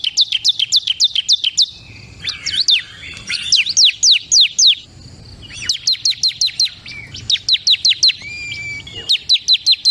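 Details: Bar-winged prinia, kristal song type, singing a long, varied sequence: fast runs of sharp falling chips alternate with looser, warbled, twisting phrases and a short flat whistle, then renewed rapid chipping.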